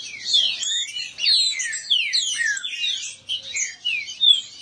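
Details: Several kept green-winged saltator males in a singing dispute. Loud, clear whistled phrases with downslurred and upslurred notes overlap continuously in a busy, tangled chorus.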